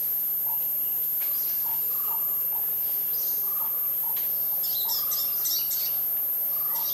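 A jungle owlet gives a quick run of short, hollow mid-pitched notes about twice a second, with thin high chirps from other birds and a low steady hum behind.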